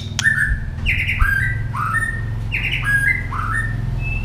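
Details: Stimulated white-rumped shama in fighting song: short whistled phrases repeated roughly every half second, each a bright note dropping then levelling, over a steady low hum.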